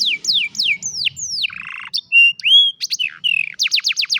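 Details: ['An old canary sings in the afternoon, a varied run of downward-sweeping whistles, a buzzy rolling trill, pure held whistled notes and a quick closing series of repeated high notes.']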